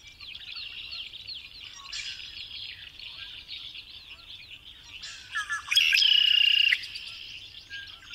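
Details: Red-winged blackbird singing one loud song: a few short introductory notes, then a buzzy, sustained trill lasting about a second. A constant chorus of high chirping birds runs underneath.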